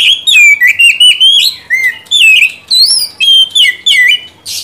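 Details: Caged white-rumped shama (kacer) song played as a lure to stir a silent bird into singing: a rapid, continuous run of loud whistled notes, each sliding and warbling, repeated in quick phrases with tiny gaps.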